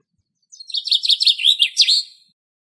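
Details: Common chaffinch singing in Greek nature: one bright, rattling strophe of about two seconds. Quick repeated notes fall in pitch and speed up, then the phrase ends in a sharp flourish, with no other sounds.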